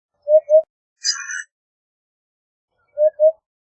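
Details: Eurasian hoopoe (Upupa epops) uttering low, hollow paired hoots, twice, separated by a short rasping noise and silence.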